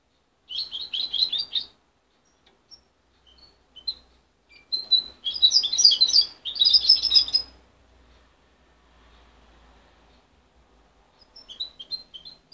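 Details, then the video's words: A goldfinch hybrid youngster, raised by its mother until 23 days, sings short bursts of high buzzy twittering spaced by pauses with scattered single chirps; a soft low rumble beneath. "Mixto de jilguero joven"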